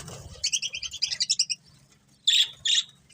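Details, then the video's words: Budgerigar breeding pair kept as pets: a rapid run of about a dozen short bright chirps, then two harsher noisy squawk-like calls after a pause, over a faint low hum. "Cute Budgies Chirping Sounds"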